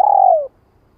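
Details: A single long, mellow coo from a spotted dove, gently falling at the end. It is part of a '2 hậu lỡ' call meant to excite a newly trapped bird in training. No other sounds.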